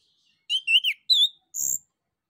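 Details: Male orange-headed thrush in full song, played as a lure to make other birds answer: rich whistled phrases, sliding and warbled, then a sharp high note over a low rasp, in quiet surroundings.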